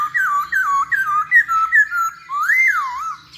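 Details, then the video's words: Lure song of a masked laughingthrush to make birds sing: a rhythmic series of about eight looping whistled notes, each dipping and rising, closing with one long, rich arching whistle. "Pancingan Poksay Hongkong Paling Ampuh"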